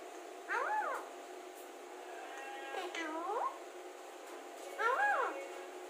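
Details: Alexandrine parakeet talking: three quiet, speech-like harmonic syllables that arch up and down, spaced about two seconds apart, over steady indoor background hum.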